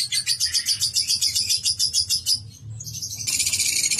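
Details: Lovebird ngekek trill: a rhythmic piercing chatter of pulsed high notes for over two seconds, a short quiet gap, then another burst of rapid, even higher squeaky chattering to the end.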